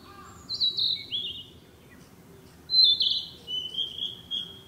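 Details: A Narcissus flycatcher, a summer breeding visitor, sings in woodland: two high, clear whistled phrases, sweet and slightly warbling, about two seconds apart, over a faint low background hum.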